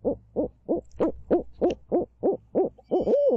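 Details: Barred owl in Midtown Tulsa giving a begging call: a steady run of about eleven short, hooting notes, roughly three per second, ending in a longer drawn-out note. The background is quiet.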